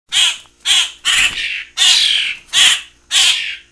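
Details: Hand-reared common grackle fledglings, now big, in captivity alongside young starlings, demanding to be hand fed before release: harsh, raspy squawks repeated about every half second, six loud bursts in a row.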